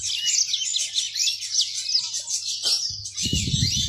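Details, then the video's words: High, continuous chattering warble from a yellow-fronted canary kept as a pet songbird, with a steady faint hum; a brief lower rustling noise breaks in near the end. "Ocehan burung mozambik"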